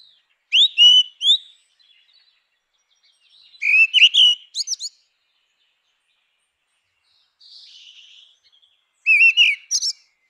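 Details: Grey-winged blackbird song in natural habitat: short mellow whistled phrases with sharp high twitters, repeated about every three to four seconds, with a faint soft warble between them.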